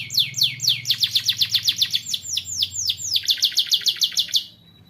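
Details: Training song for young canaries: a young canary delivers a rapid series of high descending notes in steady rolls, shifting to a quicker trill before stopping abruptly, with a faint low hum underneath.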